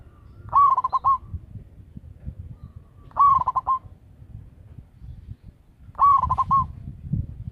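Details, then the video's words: Zebra dove, a local bird kept as a loud lure caller. Three cooing phrases come at even gaps of about two and a half seconds: a rising opening note, then rapid throaty pulses. Faint low rumble underneath. "Perkutut lokal gacor suara besar - BIANG PEMIKAT"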